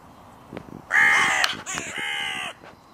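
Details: Crow calling where the territory borders of three breeding pairs meet at a park music pavilion; one long, drawn-out harsh caw followed by a second hoarse, slightly lower caw.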